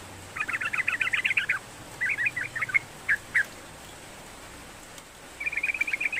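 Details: Yellow-vented bulbul song, meant to get a reluctant bird singing: a rapid string of chattering notes, a few scattered twittery phrases and single chirps, then another quick chattering run, somewhat soft.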